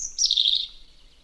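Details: A European robin in Tower Hamlets Cemetery Park, an urban wildlife sanctuary in London, gives one brief, thin, high warbled phrase that starts very high, slides slightly lower and trails off.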